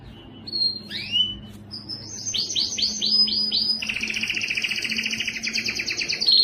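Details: Canary song made to teach young birds: sharp upward sweeps, a run of descending arched notes, then a long rapid buzzy trill; faint low hum beneath.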